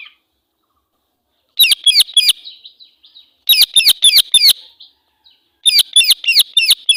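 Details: Female Indian ringneck parakeet in angry voice, three long runs of loud, raspy shrieks, five or six notes apiece, each trailing into a softer buzzy churr.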